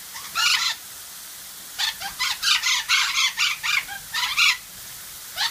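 Golden parakeets give harsh, raspy screeches in quick bursts, about a dozen notes in five seconds, loud and grating with short pauses between.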